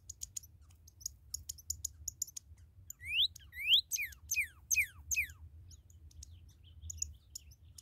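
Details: Newly captured red cardinal with a series of down-slurred whistled notes in the middle, rising then falling sweeps, surrounded by faint high ticking chirps before and after.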